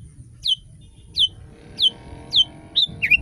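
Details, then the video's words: Kutilang, the sooty-headed bulbul, in a tutor recording meant to prompt other bulbuls to sing: bright descending whistled notes repeated roughly every 0.7 seconds, ending in a quick doubled phrase, over a soft low background rumble. "Masteran kutilang!!!kutilang paling dicari untuk membuat burung kutilang anda langsung ikut berbunyi"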